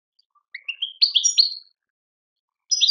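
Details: European goldfinch, Algeria, Tadmait song style: a short run of clipped, rising high notes, each a little higher than the last. After a pause, a brief twittering fragment follows.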